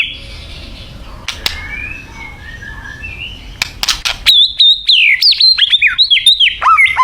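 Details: White-rumped shama from Thailand in song. About four seconds of faint thin whistles and a few sharp clicks, then a loud, rapid run of varied clear whistled notes, slurred up and down and tightly strung together, to the end.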